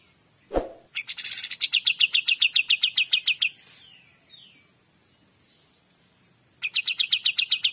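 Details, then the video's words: Kapas tembak in full 'gacor dor' song: a rapid train of sharp, evenly spaced chirps, about four per second, holding a steady high pitch, preceded by a low thud and an upward flourish, with a second burst near the end. "KAPAS TEMBAK GACOR DOR"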